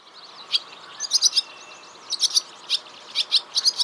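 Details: Barn swallow in the West Sussex countryside, flying low over fields and around farm buildings, gives quick bursts of high, scratchy twittering song notes in short clusters about once a second, over a soft background hiss.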